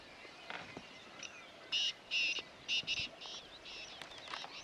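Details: Wild black francolin in the grasslands of Corbett Tiger Reserve, Uttarakhand, India, giving a quick phrase of about six harsh, rasping, buzzy notes bunched together mid-clip. Faint chirps and a soft outdoor background surround it.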